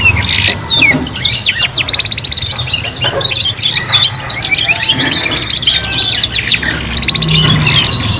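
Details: Young canaries, three singing together while learning their song: dense, rapid warbling with fast trills and sweeping whistled notes, overlapping voices throughout, over a low background hum.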